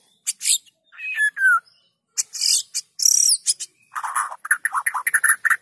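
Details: White-rumped shama song used as a lure for other shamas: sharp isolated notes, a falling whistled slur, loud buzzy bursts, then a fast rattling chatter.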